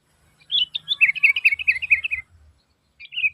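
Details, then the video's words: Loud sooty-headed bulbul calling used to draw other bulbuls to reply: a fast run of chattering, slightly descending notes lasting under two seconds, then a short final phrase after a pause. "Suara Asli Kutilang Gacor Memanggil, Kutilang Pasti Nyaut"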